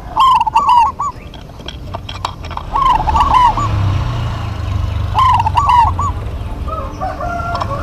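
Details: Local zebra doves in an energetic duet. Loud bursts of rolling, trilled cooing come at the start, in the middle and later, with softer overlapping coos toward the end, over low background noise.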